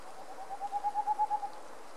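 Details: Boreal owl recorded in Puszcza Sandomierska forest, Poland; a quick run of about eight soft, low, even hoots lasting roughly one second, growing louder toward the end then stopping, over a quiet background.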